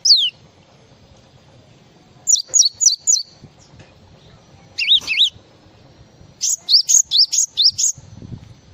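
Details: Java sparrow singing a varied full song: one falling whistle, then a quick run of four high notes, three wavy warbles and a fast series of six bright notes.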